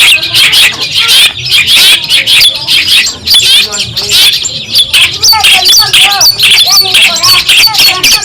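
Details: Long-tailed shrike from Madura, used as a tutor recording for other songbirds and said to provoke rivals: dense, scratchy, high-pitched chattering with rapid sharp notes and upslurred whistles, continuous and loud throughout.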